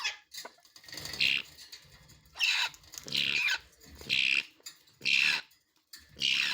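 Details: Grey parrot chicks in Noida, India give harsh, raspy bursts about once a second, each a broad hissing rasp with a brighter squeaky edge.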